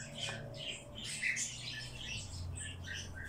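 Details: Bird chick begging during hand-feeding, uttering rapid high squeaky chirps and cheeps in clustered bursts, with a low hum in the background.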